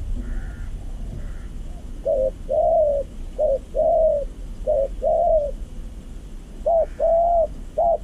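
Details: Spotted dove (zebra dove by finding) trapped with a decoy bird in a yard full of ants, crows scattering; gives a rapid series of soft, staccato cooing notes in short bursts before descending into the snare.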